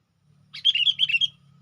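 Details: Lure call of a sooty-headed bulbul meant to call in wild birds: one quick, lively phrase of several bright, bubbling notes lasting under a second, with a soft low hum beneath.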